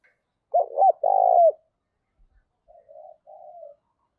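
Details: Decoy spotted dove calling to provoke wild doves: a loud pair of coos, the second long and buzzy, followed by three softer, quieter rolling coos.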